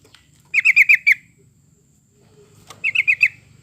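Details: Yellow-vented bulbul song meant as a lure to make pet birds sing: two rapid bubbly bursts of four to five bright, chirpy notes, separated by a short pause, over a faint low hum.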